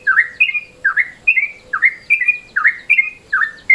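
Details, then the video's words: Midday-mode call of a yellow-vented bulbul, used as a lure: throaty rising chirps, each followed by a level, higher whistle, repeated in pairs roughly every 0.8 seconds. "SUARA TRUCUKAN MODE SIANG"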